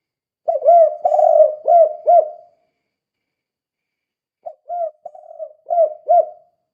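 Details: Spotted dove, lively 'kuk 2' caller used to provoke other doves into calling: a loud phrase of four hollow coos, a pause of about two seconds, then a softer phrase of short coos ending in two clipped notes.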